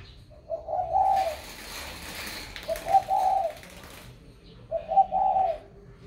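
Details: Spotted dove placed in a box after purchase, calling as usual: three low, soft hooting coo phrases roughly every two seconds, with rustling noise between them.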